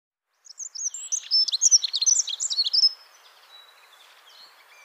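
A Dunnock sings a rapid, high, jangling warble lasting about two and a half seconds, with faint distant birdsong after it.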